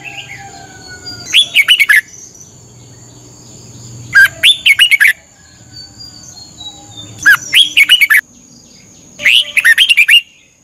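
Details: Red-whiskered bulbul, a Thai cage bird, during a thirty-minute morning song training: four lively phrases of liquid, slurred whistles, each about a second long, spaced two to three seconds apart, with soft background murmur.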